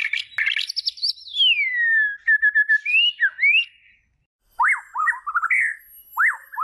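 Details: Singing white-rumped shama: a high whistle gliding slowly downward, a few clipped notes, then after a brief silence short rising-and-falling whistled phrases.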